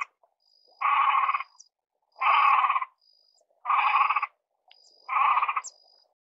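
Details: Great crested grebe (Podiceps cristatus) repeating a coarse, rasping, croaking call four times, roughly every one and a half seconds, each note buzzy and even in pitch, against a faint high whine.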